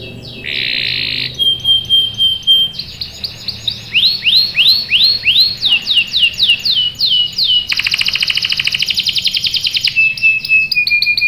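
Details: Canary, said to be a female in breeding condition calling a male, with a buzzy burst, a steady high whistle, a long run of sweeping downslurred whistles, a fast rattling trill and closing steady whistled notes.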